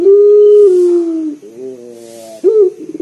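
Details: Local collared dove, loud lively bird used as a lure to set other doves calling, giving a long, low, steady coo that slides slightly downward, then a softer rolling phrase and a sharp rising note.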